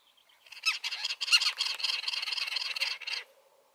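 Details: Great spotted cuckoo, two birds perched on a shrub in the Iberian Peninsula soon after arrival, giving a garrulous, noisy song: a harsh, grating, rattling chatter of rapid notes that runs almost three seconds.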